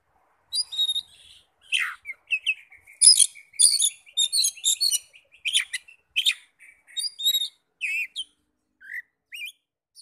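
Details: Oriental magpie-robin song meant to set off other magpie-robins: lively varied phrases of sharp high chirps, buzzy notes and a trilling run near the middle, then spaced whistles and a final soft slurred note, in a quiet setting.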